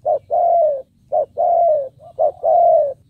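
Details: Decoy spotted dove calling to draw in wild birds, giving three paired coos: a brief hoot then a drawn-out, gently falling coo, close and loud over a quiet low background hum.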